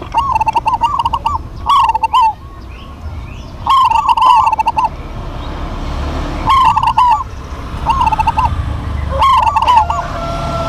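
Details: Duet of local Indonesian zebra doves: two birds trade short mellow cooing phrases with a rolling, trilled middle, each burst about a second long, separated by pauses, with a steady low background hum.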